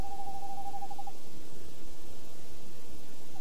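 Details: Tawny owl call from a male and female pair, recorded 28 January 2011: a single wavering, quavering note held for just over a second against a steady hiss of background noise.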